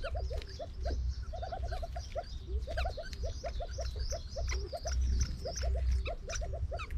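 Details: A captive-bred Edwards's pheasant, a species thought extinct in the wild, gives quick runs of short, upslurred clucking notes, often in twos or threes. Thin, higher chirps from small birds and a steady low rumble are also heard.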